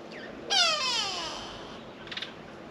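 A grey go-away-bird gives one long, nasal, bleating note that slides slowly downward for about a second, followed by a brief faint rustle.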